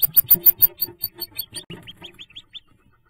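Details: Hooded merganser ducklings jumping from the nest on May 5th, 2024: a run of thin, rising peeps repeated in quick succession, fading toward the end, after a burst of louder thumping and bumping sounds.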